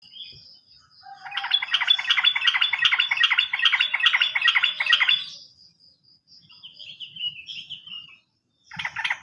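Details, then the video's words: Sooty-headed bulbul song used as a lure for bulbuls that have stopped singing: a dense, buzzy rattling trill of about four seconds, then softer warbled phrases and a brief burst at the end, over a steady thin high tone. "PANCINGAN BURUNG TRUCUKAN MACET BUNYI ‼️ bisa juga untuk burung Trucukan bahan"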